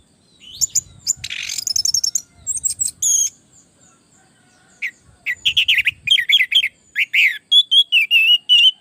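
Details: Orange-headed thrush singing in a lively way as a tutor recording meant to get other thrushes to answer; fast varied high phrases of sharp notes, short whistles and rapid repeated chirps, with a brief pause midway.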